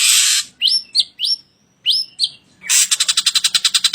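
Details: A vocal ashy drongo in a masteran recording for cage-bird training: a harsh hiss, several sharp rising whistled notes in pairs, then a rapid run of buzzy clicking pulses.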